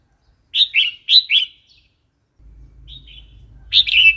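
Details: Wild-style Red-whiskered bulbul song for training young and wild-caught birds: four ringing whistled notes in two pairs, a soft faint phrase, then another loud pair over a low hum.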